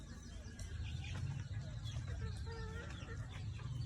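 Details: Backyard flock of red junglefowl: short nasal clucks and a few drawn-out notes, with a heavy low hum and faint voices behind.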